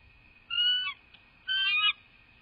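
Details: Female bald eagle at a nest in southwest Florida, live nest-cam recording from 12 January 2024, gives two high, thin whistled notes about a second apart, each ending in a quick, slightly broken drop, over a constant background hum.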